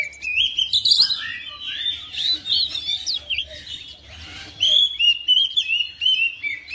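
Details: Home-kept oriental magpie-robin singing in reply to another bird: warbled whistles and looping slurred notes, a brief quieter stretch, then a rapid series of sharp chirps.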